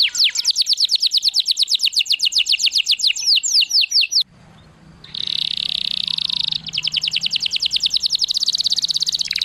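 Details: Canary singing to excite other canaries and teach them to sing: rapid high rolling trills, a brief pause with low hum, then a dense buzzy block before the quick trill resumes.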